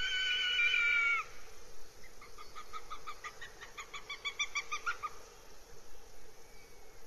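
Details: Northern goshawk at its nest in RSPB Abernethy Forest, Scotland, 3 July 2022: a loud drawn-out harmonic whistle-wail lasting about a second, then a quick series of short clipped notes repeated several times a second, over a steady background hiss.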